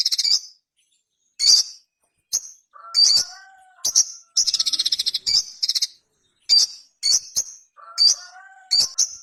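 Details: Ruby-cheeked sunbird giving piercing high chips spaced irregularly, with one fast buzzy trill midway. Soft, lower wavering whistled notes appear twice.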